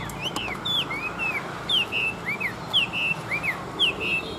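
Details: Chinese hwamei, a wild-caught Vietnamese fighting bird, gives paired clear whistled notes, a falling slur followed by a level tone, repeated roughly once a second at moderate volume.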